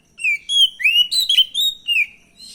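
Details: Oriental magpie-robin (kacer) lure song meant to provoke a reply: a rapid string of about eight loud whistled notes, some rising and some falling, with a harsher buzzy note in the middle.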